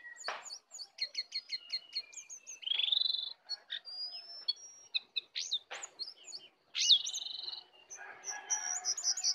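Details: Wild sooty-headed bulbul sings against a caged one, song full of 'isian' fill; quick chirp series, a buzzy rising note, sharp clicks and a loud swooping whistle near the end.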